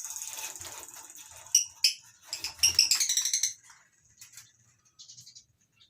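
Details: Caged lovebirds in a colony aviary at a breeding farm in the morning, species including masked and Fischer's lovebirds; a soft high buzz gives way to a dense run of shrill, rapidly repeated chattering notes, then sparse chirps.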